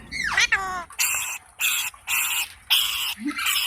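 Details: Rose-ringed parakeet opens with a falling, whining note, then gives a string of loud, rasping screeches of about half a second each, separated by short gaps.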